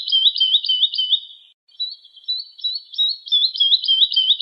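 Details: Woodlark singing a series of sweet, repeated slurred notes, a brief pause, then a second, slightly quieter run that swells again; clean background.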